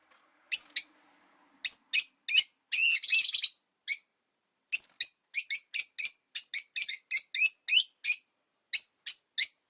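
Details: Rosy-faced lovebirds kept as pets, five in a window-side cage, chirp busily in winter: shrill clipped notes in quick bursts, with one longer rasping chatter early on and a short gap before chirping resumes.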